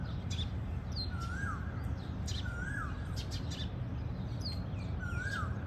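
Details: Plum-headed parakeet calling: three slurred whistled notes, each gliding up then dropping away, spaced roughly one and a half seconds apart, with faint high chirps from other birds and a steady low rumble beneath.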